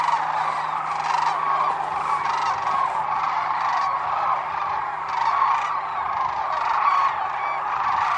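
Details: Wintering sandhill cranes at Whitewater Draw Wildlife Area, Arizona: a dense chorus of many rolling, bugling calls overlapping continuously from a large flock, with no pauses throughout.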